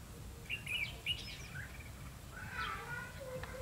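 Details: Red-whiskered bulbul used as a decoy during bird trapping on 28 November 2015, singing to lure wild birds. Bright chirped phrases come early, then a warbled phrase near the end, over steady low rumbling background noise.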